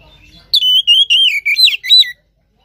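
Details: Lure song of an Oriental magpie-robin, played to prompt a sluggish caged bird into song: after a faint murmur, a run of bright whistled notes wavering up and down, broken into five quick phrases.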